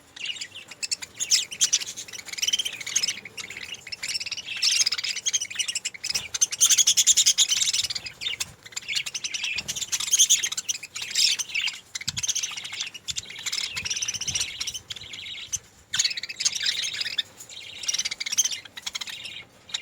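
Budgerigars chirp and chatter in a busy, high-pitched stream of warbling notes.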